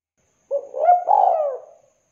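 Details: Single phrase from a keen local spotted dove: a short low note, a brief mellow coo, then a longer hollow coo that rises slightly and slides down as it fades, heard cleanly without background noise.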